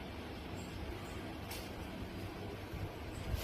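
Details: Steady low rumbling vehicle or traffic noise with a few faint hisses, and no animal calls.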